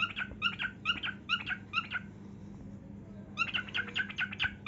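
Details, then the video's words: A pet cockatiel sings while dancing and showing its heartwings: clear chirped notes repeated at an even pace, a short silent gap, then a denser burst of chirps. "Cockatiel Dancing & Singing"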